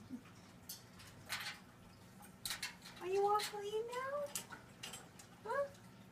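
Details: Pet Moluccan cockatoo bathing itself for the first time, perhaps prompted by vacuuming that sounds like rain, gives a few drawn-out, rising, voice-like calls amid splashing water and light clattering in a small room.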